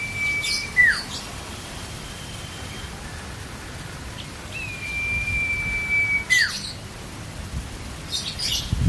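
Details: Common iora singing for a songbird-training master recording: two long, steady whistles, each closing with a quick downward slur, separated by faint chirps and scratchy bursts, with light background hiss.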